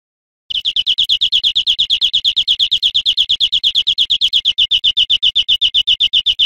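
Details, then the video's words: European greenfinch song used as a teaching recording for cage birds: a fast, even trill of bright chirped notes at steady pitch, repeated about eight times a second without pause. "Canto Verderon cd educador"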